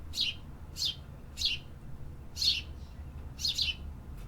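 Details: Singing city birds: quick high chirps, some doubled, coming in bursts about every half second, over low background hum.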